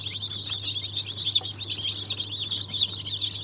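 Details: Brood of newly hatched chicks of Cream Legbar, Australorp and Ayam Cemani breeds, hatched 07.02.2023, producing a thick stream of sharp, high chirps over a continuous low droning hum.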